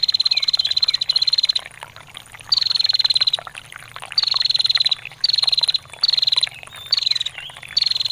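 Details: Female bar-winged prinia giving its long ngetir call, used to tutor songbirds: seven high, rapid, rattling trills, each under a second and falling slightly in pitch, separated by short gaps over steady trickling water.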